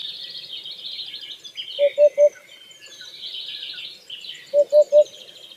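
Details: In the wild, a white-breasted waterhen gives two bursts of three rapid, low, hollow notes about three seconds apart. A constant wash of high bird twittering sits behind it.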